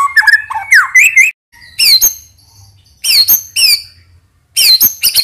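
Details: White-rumped shama lure song with a brief jumble of varied notes, then loud, sharp downslurred chip notes given in clusters about a second apart.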